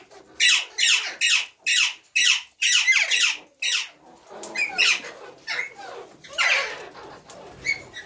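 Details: Ringneck parrot giving a rapid series of harsh, high, downward-sweeping screeches, about two per second, loud at first and then softer and more spaced toward the end.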